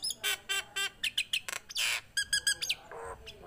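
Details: Lively, tame Nias hill myna giving a fast series of nasal, harmonic squawks and short downslurred whistles, broken by one long rough screech and followed by a lower hoarse call.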